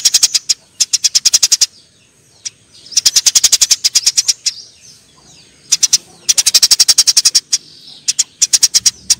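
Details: Eurasian tree sparrows in a fight give long rattling volleys of bright, evenly spaced chirps, several seconds each, with a near-silent lull between the volleys.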